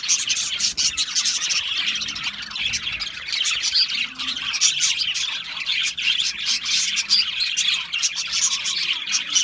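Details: Parakeets (budgerigars) singing and chirping in a flock, with steady overlapping high twitters, rasping squeaks and rapid warbled phrases forming an unbroken, lively chatter.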